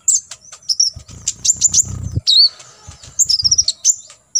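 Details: Olive-backed sunbird, kolibri ninja, giving a full 'tembakan isian' tutor song: rapid, very high chips and short trills, broken by low rustling or fluttering bursts.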